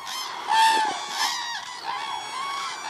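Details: Flock of cranes at the Hula lake, recorded 30 December 2014. Loud overlapping bugling calls rise and fall in waves, with a thin, clear whistled note early on, above a steady background of more distant calling birds.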